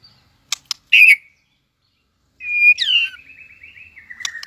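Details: White-rumped shama in competing song: two sharp clicks and a loud burst, a pause, then a whistled note leaping upward before a long rattling trill that steps down in pitch.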